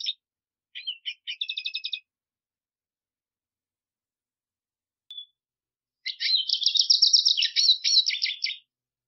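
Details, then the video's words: A Black siskin sings a short rattling trill, pauses, gives a single thin note, then bursts into a loud buzzy warbling phrase with a sweeping, wavering twitter for about two and a half seconds. "Negrillo Boliviano! Llamado! Sonido! Cantando! - Black Siskin Song - Spinus Atratus"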